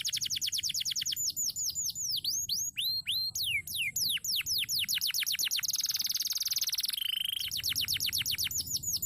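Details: Crested canary singing energetically in a long, continuous song: rapid series of sharp, downward-sweeping whistled notes run into fast trills, with a dense buzzy rattle midway before the quick repeated notes return.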